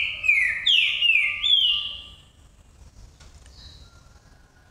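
A Green-winged saltator sings loud, rich whistles, four quick phrases of slurred, falling notes in about two seconds, then falls silent, leaving faint background hum.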